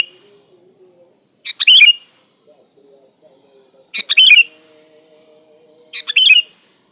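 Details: Sooty-headed bulbul singing as a lure: three bright bubbly phrases, each opening with two short notes before a rich warbled burst, spaced about two and a half seconds apart against a quiet background with constant hiss.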